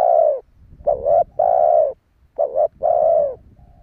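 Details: Spotted dove call used to lure wild doves: low, hollow cooing phrases, each a short wavering note then a longer steady coo, repeated about every one and a half seconds over faint background rumble.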